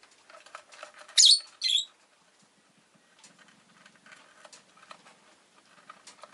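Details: A rosy-faced lovebird gives two loud, shrill, piercing chirps about half a second apart, followed by quieter scattered clicks and soft scratchy chatter.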